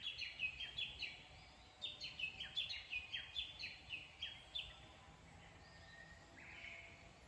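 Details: Wild bird singing in the satoyama hills of Ojima-Obara, Kurashiki, heard while out walking: a run of about a dozen short, sharp, down-slurred high notes at a steady pace, then softer drawn-out whistles, over faint background hiss.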